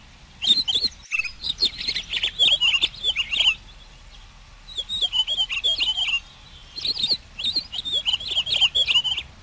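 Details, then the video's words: Hawfinch song, though the recording is labelled as camachuelo picogrueso (pine grosbeak, Pinicola enucleator): three bursts of rapid, high twittering mixed with sharp ticks and thin squeaky notes, separated by short pauses. "Canto del Camachuelo Picogrueso"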